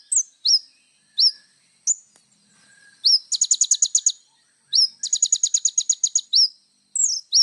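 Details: Little spiderhunter singing actively for tutoring young birds: loud upslurred high chips repeated about every half second to a second, interrupted by two rapid buzzy trills of roughly fifteen pulses each.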